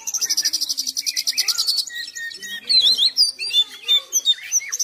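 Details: Oriental magpie-robin in continuous song, opening with a fast pulsed buzzy trill lasting nearly two seconds, then a short flat whistle and a burst of loud, varied, swooping whistled notes and chirps, with fainter twitters behind.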